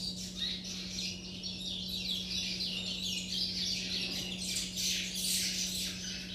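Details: Captive chestnut-bellied seed finch chicks in juvenile song, a continuous busy twittering of high, rasping trills and chirps that rises in intensity toward the end, with a constant low hum underneath.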